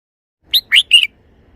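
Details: Red-whiskered bulbul giving its three-syllable song after silence: a short whistled note, a rising swoop, then a longer even whistle, delivered crisply in under a second.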